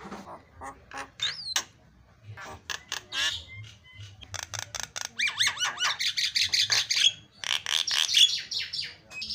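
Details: Javan myna singing a varied song on a training recording for mynas: rasping calls and a rising whistle, then long runs of rapid, chattering buzzy notes laced with squeaky whistles.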